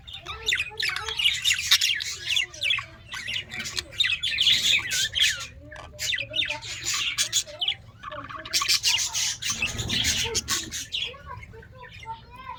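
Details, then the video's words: Australian parrots in a colony keep up a busy stream of squawks and chirps, rapid and irregular, over steady scratchy background noise. "Australian Parrots Colony"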